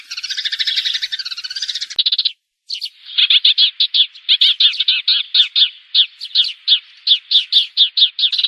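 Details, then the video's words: Sparrows in a 2019 recording played to lure birds into traps: a fast chattering trill, a brief gap, then a long series of separate sharp chirps at a quick pace. "Tiếng chim sẻ"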